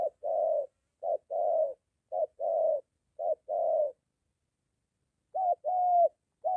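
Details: Spotted dove, a molting decoy bird practicing near home as a wild dove approaches. Four steady short-long coo pairs are followed by a silent gap, then the pairs resume, slightly brighter.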